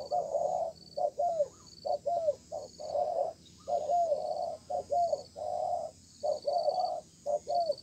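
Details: Persistent wild-caught spotted dove in a calling match beneath a communal stilt house: mellow coos in short and long notes, the longer ones sliding downward, given in loose series; thin high pips repeat steadily behind.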